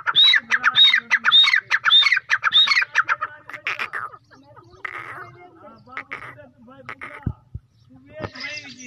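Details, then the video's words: A White francolin gives loud, harsh, squawking notes with a rising whistle, about five in quick succession, then scattered rougher calls. "white teetar ki awaz. white francolin"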